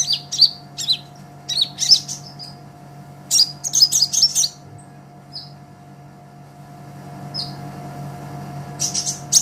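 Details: Olive-backed sunbird singing actively, for tutoring other songbirds: clusters of sharp, high, rapid chirps, then a quieter stretch with a few single notes before a new burst, over a constant low hum.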